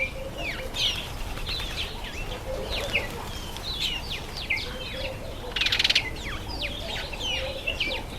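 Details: Breeding-season masked weavers, September or October: a steady stream of sharp downslurred chirps and twittering notes from several birds, one dense buzzy burst midway, plus a low hum.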